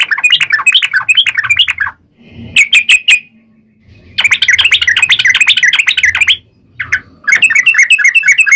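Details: Sooty-headed bulbul in energetic fighting song meant to provoke other bulbuls into singing back: harsh, rapid chattering phrases in long bursts, broken by a few brief sharp notes and short gaps, with a faint low hum.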